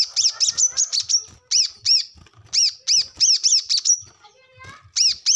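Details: Brown-throated sunbird singing lively 'gacor ngobra' as a lure for untrained captive birds: separate, sharp, high chirps with ringing overtones, spaced unevenly, some short clusters and brief pauses between.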